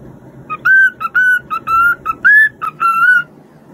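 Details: Cockatiel whistling a learned aria: clear, pure whistled notes, some held and some short, in a melodic phrase with brief gaps between notes.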